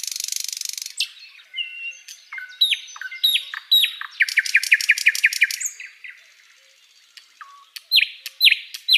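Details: Flycatcher singing on a tutor recording: a buzzy rattle opens, followed by varied whistled downslurs, a rapid series of bright descending notes, a quiet pause, then more sharp whistled slurs.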